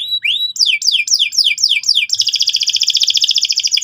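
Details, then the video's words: Energetic canary song played to make young birds sing: a rising whistle, a series of sharp down-slurred notes about four per second, then a rapid, rhythmic buzzing trill. "PANCINGAN BURUNG KENARI GACOR SEKETIKA BIKIN PAUD NGEROL NGK MAU DIAM"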